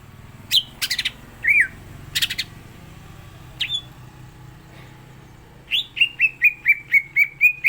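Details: Greater green leafbird (cucak ijo) singing 'gacor isian' style: scattered harsh, broadband chips and short squeaks open the passage, then a steady string of about nine bright, downslurred whistles repeated roughly every quarter second.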